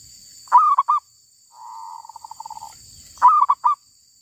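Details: Wild female zebra dove. Two bright cooing phrases, each a rising burst then two or three short notes, with a softer rapid rattling run of notes between them.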